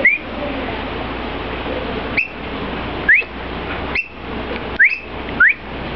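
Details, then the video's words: Captive black oystercatchers, a banded adult and a four-month-old juvenile, at the Seattle Aquarium, a call the adult began giving after the young bird arrived: six short, sharp rising whistles at irregular intervals over a steady indoor hum. "Black Oyster Catchers 'Singing'"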